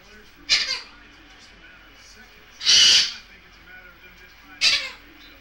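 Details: Playing pet Goffin's cockatoo lets out three rasping, noisy screeches spaced roughly two seconds apart, the middle one longest and loudest, with a quiet indoor background between them.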